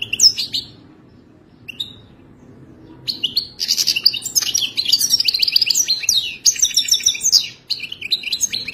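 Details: A wild-caught Moroccan goldfinch of the Wadani style sings. Two brief high notes are followed by a pause, then from about three seconds a long, fast, jangling stream of twittered and trilled phrases with short buzzy bits.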